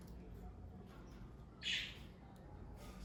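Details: Pet budgerigars kept as a parakeet family give a single short, harsh chirp midway through an otherwise quiet stretch, over a steady low indoor hum.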